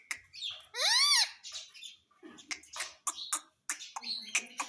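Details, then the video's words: Pet parrot talking: one loud, arching, harmonic squawk-like whistle, then a stream of softer clicks, chirps and scratchy chatter. "Talking Parrot"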